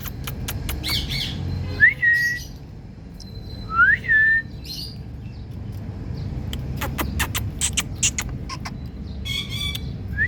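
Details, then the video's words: Indian parrot producing two clear upward-sweeping whistles a couple of seconds apart, then scattered clicks and short harsh notes against a faint low rumble. "Indian Parrot Calling Mithu"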